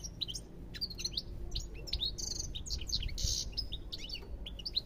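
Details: Lively European goldfinch song, a continuous tumbling twitter of high chirps and sliding whistles broken by two short harsh buzzy notes, over a faint low rumble.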